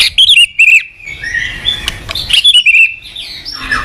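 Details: White-rumped shama singing as a training master: bright high whistled notes in two quick bursts separated by a quieter hissy passage.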